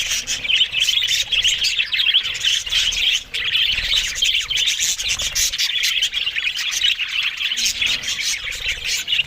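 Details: Budgerigars feeding on green food keep up a dense, steady chatter of sharp chirps, squeaks and twittering warbles that barely pauses. One short dip in the sound comes just past three seconds.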